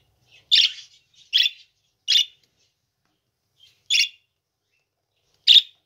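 A budgerigar gives short, scratchy high chirps, spaced irregularly about a second apart.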